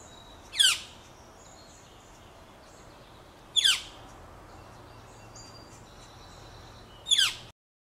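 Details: Northern flicker nestlings, nearly a month in the nest box with two still inside, beg while parents feed them: three harsh descending buzzy bursts spaced about three seconds apart against quiet background with faint distant high notes.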